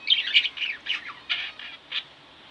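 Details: Pet budgerigars kept at home, a pair of budgies chirping: a run of short bright chirps and warbles, loud at first then spaced out and softer, ending with a single clear chirp.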